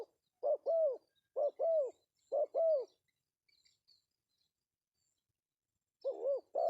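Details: Pesom call of a male spotted dove, used as a lure. Three quick pairs of mellow coos, each a brief note then a drawn-out arched one, are followed by a long silence. A final pair ends the recording.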